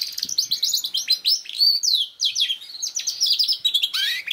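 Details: Lure song of a canary, meant to prompt a young bird to start singing: a continuous, rapid run of bright, high chirps and sweeping whistled phrases without a break.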